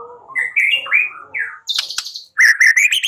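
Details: White-rumped shama song used as a lure to get a bird singing back: smooth slurred whistles, a harsh burst, then a quick sequence of bright repeated notes.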